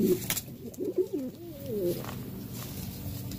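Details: Territorial Cuban Pouter pigeon males fighting over a nest, likely indoors: low, wavering coos that slide up and down in pitch, delivered in a rapid uneven burst over the first two seconds, then fading into a dull background hum.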